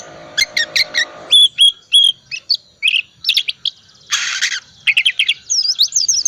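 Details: Oriental magpie-robin singing continuously as a lure to rouse quiet birds: clipped chirps, a run of flat high whistles, a harsh buzzy burst near the middle, then looping warbled notes at the end.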